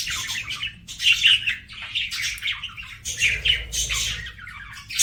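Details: Budgerigar chatter: dense overlapping high chirps and scratchy notes, fairly continuous, with a faint low hum beneath and a softer buzzy patch after three seconds.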